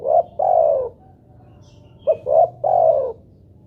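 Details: Lure recording of a spotted dove to make other doves call. The end of one phrase, a long closing coo, then a complete phrase of a short note, a middle coo and a drawn-out final coo.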